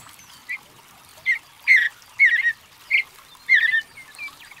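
Mountain bluebird singing soft, burry warbled notes, about seven short phrases spaced half a second to a second apart, over a quiet background.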